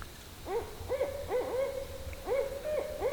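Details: Barred owls at night in a Georgia swamp, identified by a viewer, give a quick run of arched, wavering hoots, roughly two a second, over a steady mid-pitched drone.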